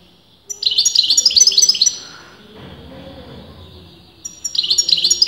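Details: Goldfinch singing without pause, breeders split on whether it is male or female: a rapid rippling burst of bright twittering notes for about a second and a half, a quieter interlude with faint rustling, then the chattering song resumes.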